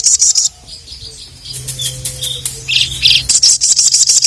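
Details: Ruby-cheeked sunbird calling to rivals: a brief rapid high trill, then several squeaky chirps and buzzy notes, breaking into another quick run of repeated high, sizzling notes.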